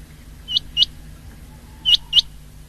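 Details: Common quail gives sharp, liquid, high notes in two quick pairs about a second apart, over a low steady hum; recorded 19 February 2024.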